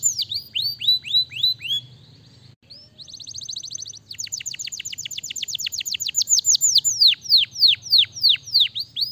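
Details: Canary singing a loud, fast song of repeated descending whistled notes in rolled phrases, shifting to a rapid trill then slower downward sweeps, with a low hum in the background.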